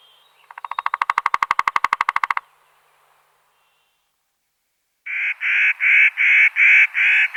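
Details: Woodpecker drumming as a fast, sharp roll of knocks that swells in loudness for about two seconds, followed after a pause by a harsh, rasping call repeated steadily about three times a second.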